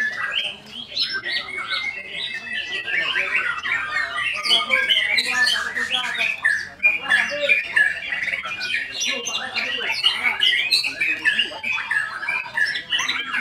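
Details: Long, energetic White-rumped shama song: rapid, irregular sequences of sweet whistles, sharp chips, slurs and scratchy trills running almost without break, with faint voices in the background.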